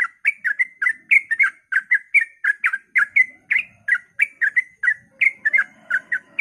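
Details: Ropel-style dawn song of a sooty-headed bulbul, meant to stir other bulbuls to sing: an unbroken string of quick, liquid chirping notes repeated several times a second, with a soft low murmur in the last second.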